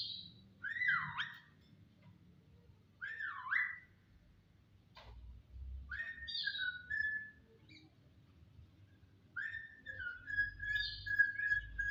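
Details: Starling whistling loudly in separate phrases: sweeping slurred notes that fall then rise, a sharp click, then longer runs of level and dropping whistles, with quiet gaps between.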